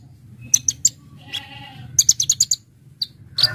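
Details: For luring birds, a Brown-throated sunbird sings vigorously with full fill-in phrases: a few piercing chips, a soft buzzy pause, then a rapid string of six sharp high notes and a final burst.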